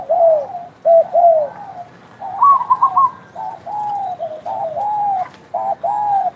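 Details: Spotted dove, called derkuku locally, calling persistently: low, mellow cooing phrases of two to three notes, some with a slight rising lilt, repeated with short pauses between them.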